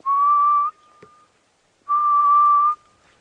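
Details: In the background at sunrise on an October game drive at Djuma Game Reserve, a Grey-headed Bush-shrike gives its mournful call: two long, level whistles, each nearly a second, about a second apart, with a soft click between.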